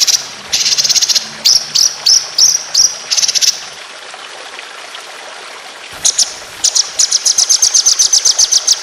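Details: Competition white-rumped shama song with long, fast 'tembakan' rolls, recorded as tutoring material. Clusters of quick high trilled notes come first. After a silent stretch, a long accelerating series of sharp repeated chips follows.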